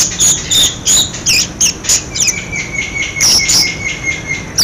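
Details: Budgerigar calls used to prompt silent budgerigars into calling: rapid, loud, scratchy high chirps and chatters in irregular bursts, with a steady whistled tone running underneath in the second half.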